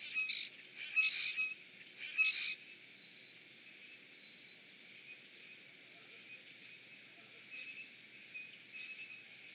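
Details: While eating, evening of 12 April 2017 around 19:16, a Rusty Blackbird gives three harsh, scratchy chack notes in the first few seconds, then fainter thin chips and whistles from other birds come over a steady background hiss.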